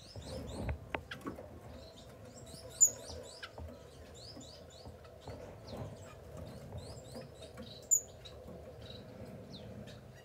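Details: Masked grass finches give thin, high chevron-shaped chirps in loose bursts, a few piercing notes standing out, over quiet low rumble and faint clicking.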